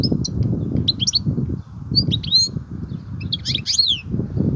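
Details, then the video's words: European goldfinch singing in the kobia style: short high twittering notes in scattered bursts over a steady low rumble. "الحسون,- لغة الكوبيا الرائعة"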